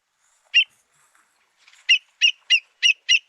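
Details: American Avocet giving sharp, high 'kleek' notes, one alone then five in quick succession about three per second, with a red-winged blackbird and faint chatter in the background.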